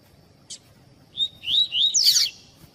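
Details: Coleiro tui-tui song of a Double-collared seedeater, a tutor song to warm up captive birds: a soft click, then high whistled notes climbing into a bright, harsh flourish.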